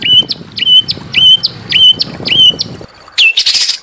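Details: Small bird song used as a training recording to stir an Oriental magpie-robin into singing: a clear, whistled note with a sharp upward flick, repeated about every half second, then a harsher burst of rapid notes.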